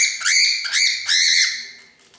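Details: Pet cockatiel indoors, angry at a little ball on its perch: three loud, harsh screeching squawks with bright buzzy overtones, each about a third of a second, fading into quiet at the end.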